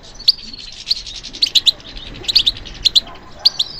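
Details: Bright, clipped twitter notes from a European goldfinch reacting to stimulation, given in short clusters of two or three high chirps separated by brief pauses.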